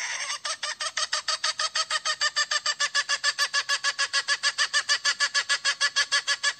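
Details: A hen calling for a rooster, seeking a mate, gives a fast, steady run of harsh, raspy notes, several each second, held evenly for several seconds with nothing else heard.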